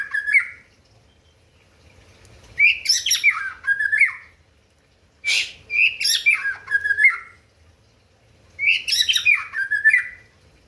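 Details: White-rumped shama song meant to rile up rival birds: three loud phrases about three seconds apart, each mixing harsh rasping bursts with rich whistled notes that rise and fall, with near-silence between phrases.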